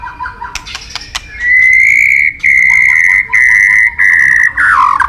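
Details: White-rumped shama in full song: loud, steady, high whistled notes held for about a second each and repeated four times, preceded by soft clicks and ending in a bubbling twist.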